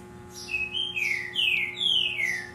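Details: Double-collared seedeater kept in captivity delivering tui-tui song: a sequence of clear, downward-sweeping whistled notes, each around a third of a second, spaced evenly, with a low electrical hum in the background.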